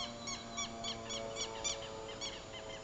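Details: Double-striped thick-knee (Burhinus bistriatus), one of a family in a Bogotá wetland defending nests from a vulture threatening the chicks, gives an alarm call: a rapid run of harsh, nasal, stacked notes, about three per second, over a steady low hum.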